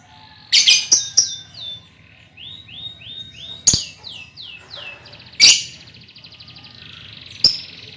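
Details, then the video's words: Colony of young lovebirds, recorded as a lure to set off trilling: sharp clicking bursts among falling chirps, then a quick series of short descending notes and a buzzy, sustained high chatter. "Suara Lovebird untulan koloni cocok buat pancingan ngekek"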